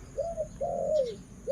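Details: Decoy female Spotted Dove cooing in a muffled setting: a level mid-pitched coo, then a longer coo that sags downward, and the start of another coo at the close.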